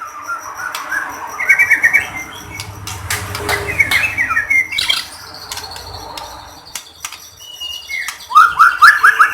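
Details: Song of a white-rumped shama recorded to trigger other shamas to sing: scattered chattering phrases and clicks, some soft whistles, ending in a loud rapid trill of rising notes.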